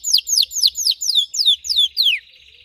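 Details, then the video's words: Red Belgian canary in intense, deep training song: eight sharp whistled notes dropping steeply in pitch, evenly spaced, trailing off into a soft buzzing tail. "Canário belga vermelho canta muito gargata profunda e intensa para treinar"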